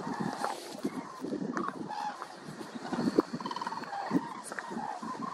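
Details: Flock of common cranes (Grus grus) in flight at sunset, western Belarus, Hrodna region, late September 2021. Scattered loud honks and short trumpeting notes overlap one another against a continuous rumbling background hiss.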